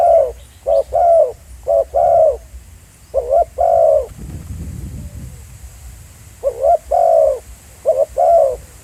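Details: Spotted dove cooing at a real field site at Pha Sing, used as a live decoy: low, soft, hollow notes in clustered groups of two or three, with a brief low rumbling noise midway before the cooing resumes.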